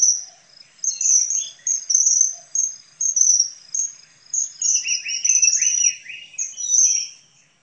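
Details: Common kingfisher giving shrill, high whistled notes repeated about twice a second. Lower chattering and warbling notes from another bird join in the second half.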